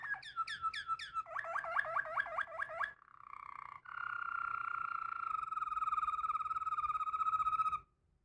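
A Waterslager canary sings rapid bubbling, water-like rolls, about four notes a second, then shifts into long sustained ringing trills.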